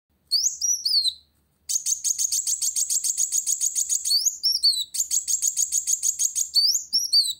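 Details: Sunbird singing vigorously to challenge a rival: high, thin down-slurred whistles, then long rapid buzzy trills of even, fast-repeated notes broken by a brief pause, with sweeping whistled phrases between trills.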